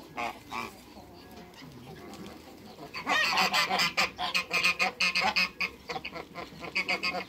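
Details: A pair of African geese in a backyard among other waterbirds; a rapid burst of loud, harsh, repeated honks begins midway and continues in quick succession, several calls per second, over a quieter start with scattered calls.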